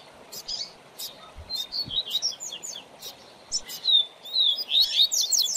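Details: A tutor coleiro (double-collared seedeater) for a young bird's song learning sings spaced high chips and short whistles, building to quick bright twittered phrases, with a few low thuds and clicks.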